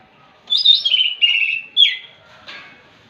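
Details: Orange-headed thrush singing in the morning, drawing other thrushes into song; a short run of clear whistled notes stepping downward, then a sharp slurred note and a fainter final note.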